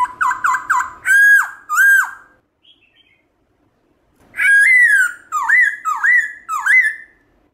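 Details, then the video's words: Wild-voice song of a Black-throated laughingthrush, played to spur pet birds to sing: three quick whistles and two long swooping ones, a silent pause, then a long whistle followed by three dipping, looping slurred notes. "Khướu bạc má hót giọng rừng kích khướu nhà bạn căng lửa"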